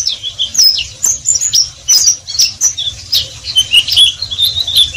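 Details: High, squeaky twitter from an Oriental white-eye in ngeriwik style: jumbled short chirps and sliding notes, fairly continuous but softer, over steady low background noise.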